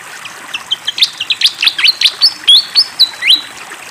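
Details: Fantail flycatcher singing vigorously beside running water: bright, high chirps and short whistled swoops, some sliding upward and others flattening out, rushed together in an energetic, accelerating phrase that fades at the close.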